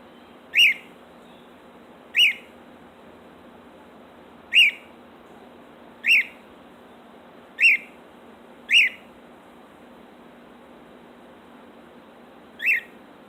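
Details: Pet female cockatiel (Nymphicus hollandicus), left alone outside in her cage on 7 February 2019, gives loud, sharp contact chirps, one every second or two, calling for attention; the owner wonders if a falcon overhead upset her.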